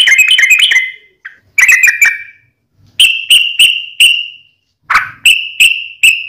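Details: Vigorous fighting-style song of a wild yellow-vented bulbul: a fast warbled opening, then a series of separate clear whistled notes, each about half a second apart.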